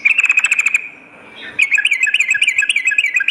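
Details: Sooty-headed bulbul, a lively singer, heard in lure and master song for morning and night: a steady trill of bright notes near one pitch, a short pause, then a faster bubbling run of looping chirps.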